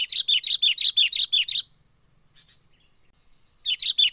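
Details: Sooty-headed bulbul lure call for catching birds, wild 'menggaruda' style: eight evenly spaced, shrill chirps in quick succession, about three per second, a pause of two seconds, then the same rapid series resumes.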